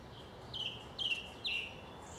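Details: Song thrush in South England sings the same short phrase three times at roughly half-second intervals, each a bright whistle dropping in pitch, against a quiet rural background.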